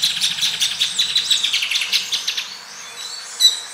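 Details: Grey-breasted parakeets (Pyrrhura griseipectus) while mating, giving a fast series of sharp, high chirping notes about eight per second for two seconds, then a pause and a single louder squeak, over faint background hiss.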